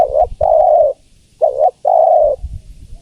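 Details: Female spotted dove calling the male with two mellow phrases. Each is a short wavering note followed by a longer, smooth, even coo, with faint low noise between them.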